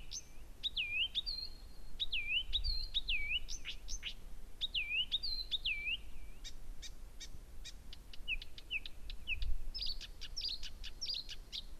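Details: Night song of a Blyth's reed warbler, singing nonstop and very loudly at Gerå Engvej, 1 a.m., 15 June 2014: dipping whistled notes repeated in runs, then a series of dry clicking ticks and more whistles, with faint low rumble.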